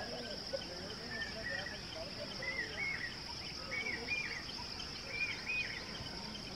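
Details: Young bushchat quivering while begging to be fed, giving short thin notes in small clusters every second or so, over a steady high droning of insects, with faint distant voices.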